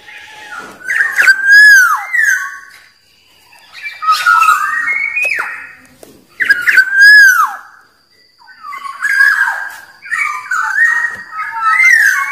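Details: Black-naped oriole in the wild, its song used to provoke rivals: four to five loud phrases of fluted, looping whistles with coarse raspy accents, each a second or two long, separated by brief pauses.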